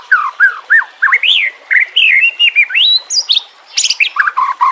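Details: White-rumped shama song with filler phrases, for training captive birds: rich, looping fluty whistles, rising and falling, ending in high sharp squeaky notes.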